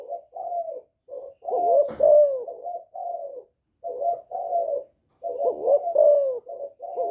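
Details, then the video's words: Spotted dove in "giọng thổ" voice, cooing to provoke rival males: soft low coos repeated in phrases, some notes swelling and sliding downward, one sharp click near the start. "Cu Gáy Giọng Thổ GÁY GỌI kích bổi cực hay, cu gáy một hậu hạp bổi, cu đất gáy kích bổi, cu cườm gáy"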